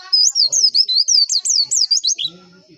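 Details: White-eye song played as a lure for caged competition birds: a fast, even string of high looping whistled notes, rising and falling about five times a second, ending in soft lower calls.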